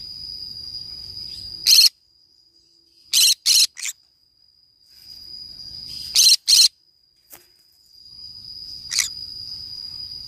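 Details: Green-cheeked conure, a parrot, playing by itself in the forest: scattered harsh screeches, some single and some in close pairs, spread over ten seconds, with a steady shrill insect-like tone running underneath.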